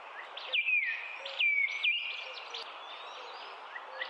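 African Emerald Cuckoo giving clear, pure whistled notes, some level and some slurring down, in a short run about a second long. Faint chirps from other birds and a steady hiss sit behind it.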